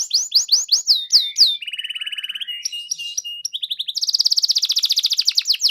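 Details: Singing canary: a series of loud downward-swept whistles, a low rattling roll, a buzzy mid-section, then a long rapid trill of repeated notes.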